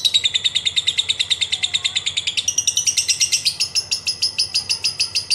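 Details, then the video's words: Lovebird in long rapid trilling, used to prompt other birds to sing: dense, high metallic notes pulsing about three per second, stepping up in pitch halfway through and continuing as a steady chattering rattle. "Pancingan Lovebird Paling Ampuh Ngetik&Ngekek Panjang Membuat Burung Jadi Rajin Bunyi"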